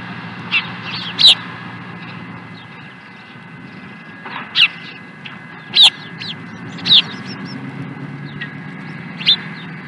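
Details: Scattered short high whistled chirps from an osprey at Dunrovin Ranch on 16 April 2020, irregularly spaced and moderately loud, set against a broad background hiss.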